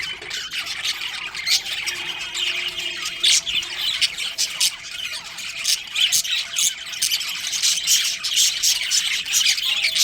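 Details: A colony of budgies including a breeding pair keeps up steady overlapping chirps and harsh squawks, brighter sharp notes popping out of the dense chatter, with a faint tonal hum.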